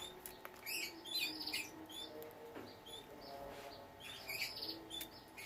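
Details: Canaries in captivity, a breeding setup with chicks: quick, sharp high chirps and brief squeaky notes in clusters, alternating with broad rustling noise and a faint constant hum.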